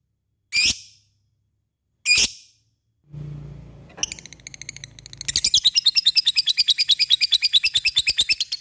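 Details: Lovebird in ngetik and ngekek song: two loud, sharp, high ticks, then a rising flow of chatter turning into a long, rapid, rhythmic ngekek trill of evenly pulsed notes.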